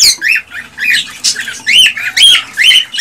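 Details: Male cockatiel's excited song to stimulate a female to mate and breed: loud arched whistled chirps repeated roughly twice per second, each note rising and falling, harsh and bright in tone.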